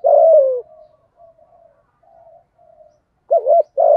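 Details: Spotted dove lure bird calling in the 'giọng thổ' voice with 'thúc gù' coos to provoke wild doves; a loud low cooing phrase opens, soft murmured coos follow, then a wavering double coo and a long falling note return at the end.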